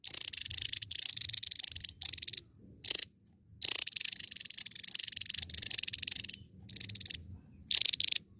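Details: Javan tesia giving dense, high buzzy trills in bursts of about one second, separated by short silences, with a few sharp clipped notes between bursts and a faint low rumble beneath.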